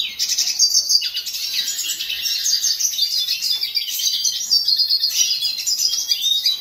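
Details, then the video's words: Continuous bright twittering from a hooded siskin: quick, scratchy high notes mixed with short clear whistles, running steadily without pauses. "Hooded siskin song"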